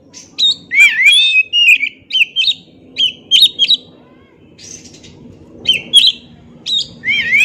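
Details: Oriental magpie-robin singing a long, lively string of whistled swoops and sharp chips over about seven seconds, over a steady low background hum.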